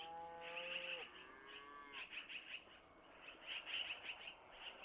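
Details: Long-eared owl owlets fed by their mother with food passed from the male, recorded at a nest camera in Missoula: a low drawn-out tonal sound first, then groups of high squeaky begging chirps.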